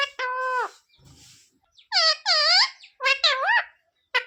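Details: Parrot imitating speech, sita-ram and jay shree ram among its phrases: a level nasal syllable, a low murmur, then two arching, strongly harmonic word-like calls and a final pair of shorter ones.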